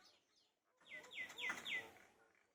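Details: Common myna in West Bengal on a morning in the field, giving four clear downslurred whistles in quick succession, each dropping sharply from high to middle pitch, spaced about a quarter second apart after a faint opening note.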